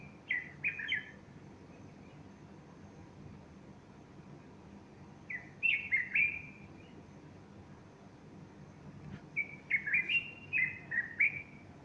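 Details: Bulbul singing at morning on 30 August 2015 beside a female with fluffed feathers; three separate bursts of quick, warbled whistles spaced several seconds apart, the last burst longest, over a faint constant hum.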